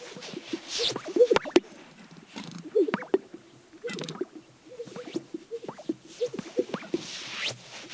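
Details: Spring lek of male greater sage-grouse near Hudson, Wyoming, USA. Males strut to court females and hold display territories. A chorus of liquid, bubbling burps and pops is punctuated by several loud swishing brushes of wings against the chest.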